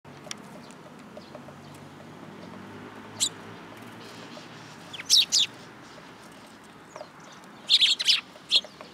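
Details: Young sparrows perched on a hand at a Tenmangu shrine, filmed in July 2022; scattered short bright chirps, a single note near three seconds, then clustered pairs of sharp cheeps around five and eight seconds over quiet background hum.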